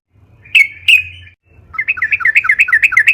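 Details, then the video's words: Yellow-vented bulbul singing, used as a lure to prompt other birds to sing: two sharp whistled notes, a brief pause, then a fast run of bubbly rising-falling notes about three per second. "burung trucukan gacor FULL NARUNG buat PANCINGAN TRUCUKAN AGAR BUNYI"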